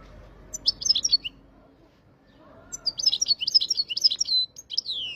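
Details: European goldfinch from Jijel, Algeria: two bursts of fast, high twittering notes separated by a pause, with faint low hum behind.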